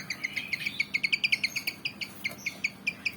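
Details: Agitated black-and-white Javan fantail, said to be itching for a fight, gives a steady fast series of short high chips, roughly six or seven a second, over a low background hum.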